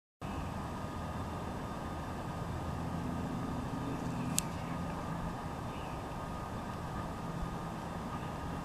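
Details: Continuous roar of road traffic with one brief sharp click midway; no animal sound can be picked out.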